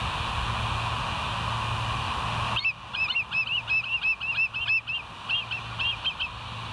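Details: Live-cam recording of West End bald eagles, 9 September 2023, 10:28; broad hiss gives way to a rapid, uneven chatter of high chirps and piping notes lasting about four seconds.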